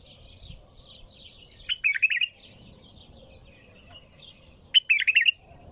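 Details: Bulbul singing nonstop: two short bright bursts of warbled, fluttering notes about three seconds apart, with soft twittering of other small birds in the background.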